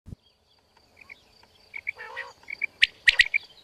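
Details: Female quail, played as a hunting lure, giving short paired two-note calls at a steady mid-high pitch. The pairs come several times, mixed with sharp clicks, a brief buzzy burst and faint insect-like background.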